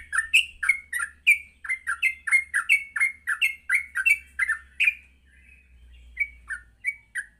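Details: Morning gacor song of a yellow-vented bulbul, meant to teach other bulbuls to sing and ngropel. Brisk chain of bubbly, slurred chirps that thins into sparser notes midway, over a faint low hum.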